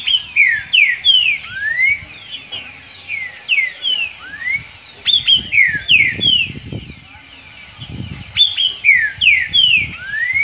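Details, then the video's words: Green-winged saltator singing during a dispute, with steady runs of loud, slurred descending whistles and occasional rising notes, some low muffled noise underneath. "Disputa trinca ferro."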